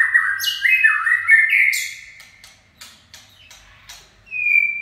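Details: White-rumped shama delivering a 'chạy cầu' song run: a busy phrase of swooping whistles and high squeaky notes, then a pause filled with sparse sharp clicks, closing on a short clear whistle.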